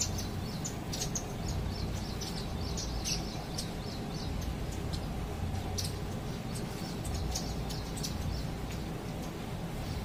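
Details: Indian silverbill calling in Bhopal: bursts of sharp, high-pitched tweets in quick clusters, some notes clipped and bright, set against a constant low droning hum.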